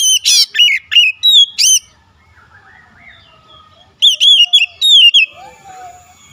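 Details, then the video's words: Rival-provoking oriental magpie-robin song: a quick series of loud, piercing whistles, a hushed interval with soft, far-off whistled notes, then another cluster of bright, downward-sliding whistles. "PANCINGAN KACER LAWAN LANGSUNG BUKA SUARA GACOR"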